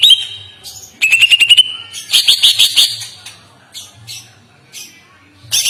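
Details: Greater green leafbird (cucak ijo) in a long, smooth master song: short bursts of rapid bright trills and harsh broadband chatter separated by brief pauses.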